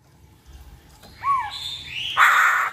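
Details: Black-throated laughingthrush song played as a lure: a rising-falling whistled slur near the middle, then a louder rich burst of whistled notes toward the end, over a quiet background.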